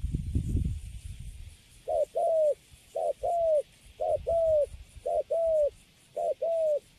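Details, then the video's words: Newly caged spotted dove with good cooing; after a low thud, five steady pairs of low coos follow, a clipped first note and a sustained slightly descending second, spaced about a second apart. "Thổ tơ Cấn Sấm, Bắt về cho vô lòng là đứng im ru. Nước Gù khá là Tốt."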